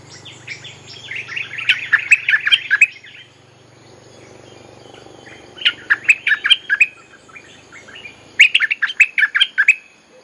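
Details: Lure song of a bulbul, for calling wild birds and training young birds: three dense bursts of bubbly, chattering notes separated by short pauses, with a low hum early on.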